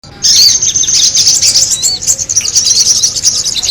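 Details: Noisy sogon bird chatter from a lure recording: dense, high-pitched twittering and squeaky chirps that start abruptly and keep overlapping without a pause, suggesting several birds calling together.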